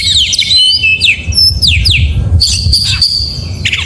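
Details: Gacor-style morning singing by an oriental magpie-robin: quick falling whistles, short high sweeps, then a sustained piercing whistle repeated, over a noticeable low rumble.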